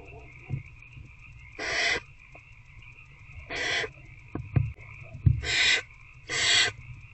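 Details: Barn owl adult and older owlet feeding on a rat in a nest box at night, 19 February 2024: four rough, breathy hisses spaced irregularly, with scattered clicks and knocks between them and a steady hum.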